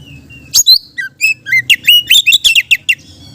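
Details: Lively Oriental magpie-robin song meant to attract other magpie-robins: a thin whistle, then a quick string of sharp chirps and slurred whistled notes delivered in rapid succession.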